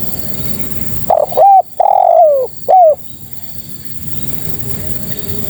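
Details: Female spotted dove calling males, a single clear phrase of hesitant opening notes, a short coo, a long coo dropping in pitch, and a short end coo, followed by quiet.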